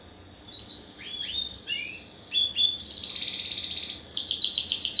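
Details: Hybrid canary, Spanish Timbrado crossed with wild canary in a first-generation 2015 breeding, begins with scattered soft chirps that build into loud fast high trills repeated in rolling bursts.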